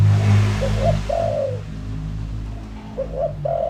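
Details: Decoy spotted dove lure call: a couple of gentle coo phrases, short notes rising into a long falling coo, over a loud low hum.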